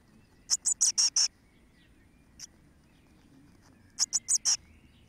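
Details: Thirteen-day-old blue tit nestlings, recorded 12 May 2017: two quick bursts of five very high, sibilant notes, separated by a quiet pause with one faint note, over a soft low hum.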